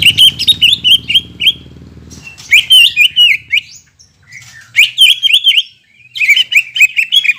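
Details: Greater green leafbird song used as a lure after moulting: repeated bursts of quick warbled and slurred whistles with short pauses, a low hum under the opening two seconds.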